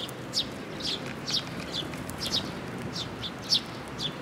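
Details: Several sparrows flocking to a feeding place on a bridge handrail at a shrine in June 2022, giving a steady stream of brief bright chirps about twice a second over a constant background hum.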